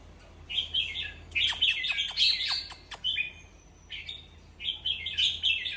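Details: Lively red-whiskered bulbul chatter played to excite other bulbuls: bursts of bright, buzzy warbling broken by rapid sharp clicks, a pause, then two more chattering bursts.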